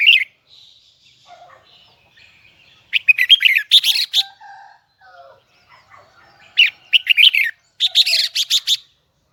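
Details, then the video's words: A Huế red-whiskered bulbul belts out its high double twisting song. Quiet scattered whistles lead to a dense burst of loud, buzzy, overlapping notes. After a pause of softer chirps, a second equally vigorous burst follows. "CHÀO - MÀO - HUẾ Bung giọng nghe cực đã || Giọng cao kép xoắn nghe mãi không chán"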